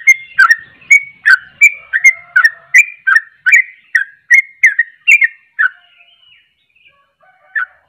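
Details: Lively sooty-headed bulbul song said to unsettle other bulbuls: quick sequence of short whistled notes, around two and a half per second, breaking off after six seconds into near silence with one last whistle.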